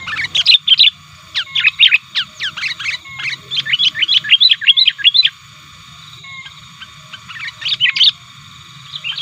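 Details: Sooty-headed bulbul calling actively and challenging rivals, used as a lure. Five seconds of fast, jumbled chattering and swooping chirps, a quiet gap, then another short excited burst.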